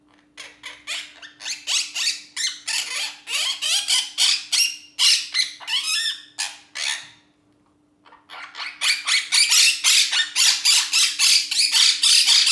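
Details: Pet cockatiels playing chatter in rapid bursts of harsh, scratchy squawks, briefly pausing before starting up again.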